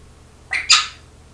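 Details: Pet parrot imitating a person's cough: one short, harsh double burst, broad and raspy, lasting about half a second.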